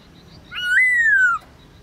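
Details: Midday song of a kept black-throated laughingthrush: one sustained pure whistle that jumps up, then slowly slides down over about three-quarters of a second, against a quiet background.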